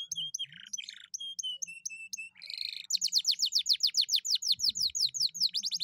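A canary sings clear, ringing whistled notes, then breaks into a fast rolling trill of quick descending chips, about six to seven per second.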